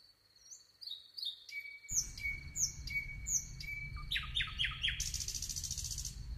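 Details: Nightingale singing: a long steady whistle, then a string of sharp down-slurred high notes over a held lower tone, a quick burst of rapid notes, and a closing harsh buzzy phrase, with low rumbling background noise.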